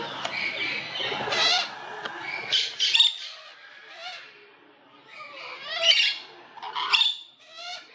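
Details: Olive-headed lorikeets give harsh, screechy squawks and shrill chattering bursts in irregular clusters, high-pitched and grating, with quieter gaps between.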